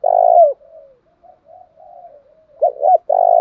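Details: Spotted dove coo used as a fighting lure to stir up rival doves: a long, low, steady coo, then soft trailing murmurs, two quick hooked notes and another sustained coo.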